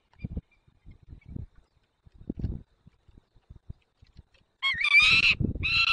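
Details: White stork at a nest in Dolina Baryczy, Poland, on 9 June 2020 at 10:54, with one own young and three adopted young, calling the adopted young: soft low thumps, then a loud harsh harmonic call at the end.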